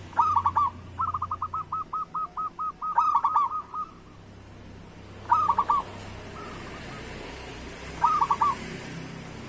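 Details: A local zebra dove sings a lure song for slow-singing doves. It opens with a stuttered phrase and a long string of rapid coo notes, then gives three separate clipped phrases spaced a few seconds apart, the last softer.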